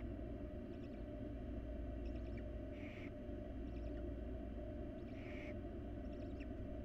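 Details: Wild nest-box barn owl chicks being fed by their mother make two softer hissing begging screeches, with faint ticking chirps in between, over a steady low hum.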